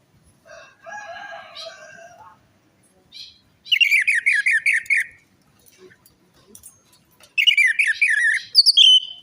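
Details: Lure recording of orange-headed thrush song to coax a silent or stressed bird: a low, rough buzzy sound first, then two bursts of quick warbled whistles repeated in rapid runs, ending on a sustained whistled note.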